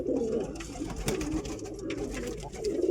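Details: Pigeon, stated to be real, with low murmuring coos at the start and end, separated by soft rustles and clicks in a small room.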